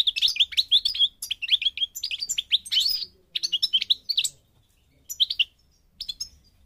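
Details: Parva goldfinch song, Morocco, North Africa: a lively rush of rapid, sweet, rolling twitters, thinning out into short separate bursts.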